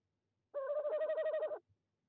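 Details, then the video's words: Tawny owl at nest box 1, De Mortel, Netherlands, evening of 26 January 2021 at 19:33, heard through a livestream box camera. A single rapid, bubbling, quavering hoot lasting about a second, in near silence. "Bosuil bezoekt uilenkast 1, roept 19:33 CET"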